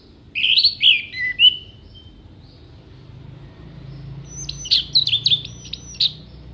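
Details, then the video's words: Orange-headed thrush giving filler song with mimicry for contest birds: sweet slurred whistles, a pause, then a burst of sharp, high, clipped whistled notes, all over faint background hum. "ANIS MERAH GACOR FULL ISIAN TEMBAKAN TAJAM VOKAL JERNIH"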